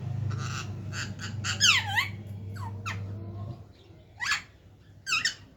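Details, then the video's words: Talking parrots indoors: bursts of rasping noise, then swooping harmonic squawks and two short sharp screeches near the end, while a low hum stops midway. "बोलने वाला तोता.. talking parrots"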